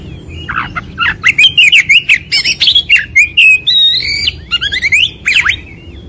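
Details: White-rumped shama song for training and luring: varied loud phrases of looping whistles and harsh chattering bursts, several drawn-out whistled notes, delivered in quick succession.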